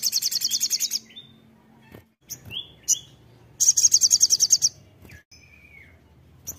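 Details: Crimson sunbird in vigorous song, opening with a rapid train of high buzzy pulses, then short thin whistles and clicks, followed by another quick pulsed burst and brief downslurred notes.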